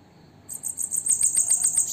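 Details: Captive female bananaquit singing at sunset in the late afternoon gives a very high, thin, hissing trill of rapid buzzy notes, starting abruptly and running for over a second.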